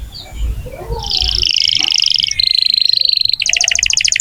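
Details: Canary singing to encourage young or silent canaries. After a soft start, a buzzy doubled tour runs into a pure held whistle, then a fast pulsing trill.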